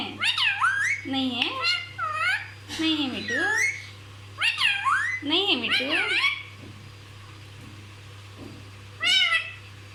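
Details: Parrot that talks non-stop, said to repeat everything: several quick bursts of mimicked speech with swooping, voice-like pitch contours in the first six seconds, then mostly quiet except one more short phrase near the end, steady low hum throughout.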